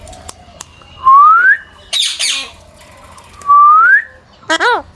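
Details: A caged pet parrot named Mithu, talking and whistling in the morning while a person coaxes it, gives two clear rising whistles about two seconds apart, between a harsh squawk and a short burst of talk.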